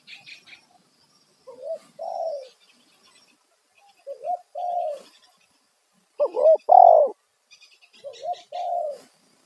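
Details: Spotted dove lure call meant to draw wild doves: repeated loud coo phrases every couple of seconds, each a quick rising double note followed by a longer falling coo, with faint high bird chirps in the background.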